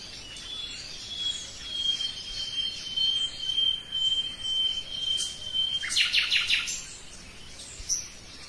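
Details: Common nightingale song opening with a long, drawn-out pure whistle held for several seconds, then a quick burst of rapid clicking notes and a final short high note.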